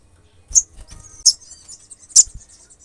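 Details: Olive-backed sunbird, a lively singing bird used to provoke rival sunbirds into anger; three sharp, very high, brief chips spaced irregularly about a second apart over faint scratchy rustling and low rumble.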